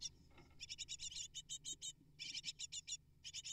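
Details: Great tit nestlings, eight in a nest, begging while parents deliver prey; rapid bursts of high, buzzy chirps repeated in short runs, with pauses between bursts, over a low steady hum.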